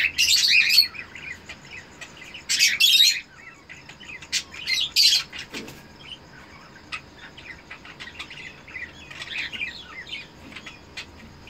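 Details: Mating red-eyed cockatiel breeding pair in captivity: three loud harsh screeching bursts in the first five seconds, then softer scattered chirps and faint twittering.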